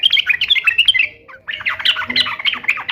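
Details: Sooty-headed bulbul singing hard, a song played to make pet bulbuls respond: quick, bright, bubbling notes rising and falling, a brief pause, then a denser burst of scratchy chatter.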